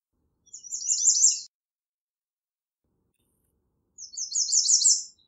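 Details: American redstart singing twice, each phrase a quick high series of thin, slurred notes lasting about a second, separated by a pause of roughly two and a half seconds, with no other sounds.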